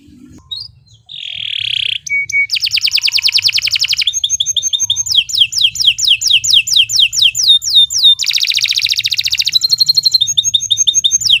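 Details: Master canary song for tutoring other birds, long and energetic: a soft nasal note and short whistles, then rapid buzzy trills, rolling series of swept whistles and dense rattling phrases, continuous and bright.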